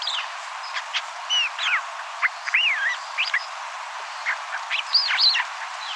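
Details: Island Scrub-Jay, North America's only island endemic, found on Santa Cruz Island: soft muttering of varied short notes, with quick slurred whistles, rising and falling squiggles and brief chips, jumbled and irregular over a steady hiss.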